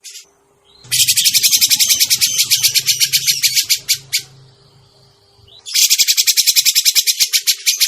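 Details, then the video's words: Grey-cheeked bulbul lure call for trapping birds: a high scratchy chirp, then an extended rapid rasping rattle that slows into spaced notes, a quiet gap, and another fast harsh chatter, with a low hum underneath. "suara pikat burung cucak jenggot"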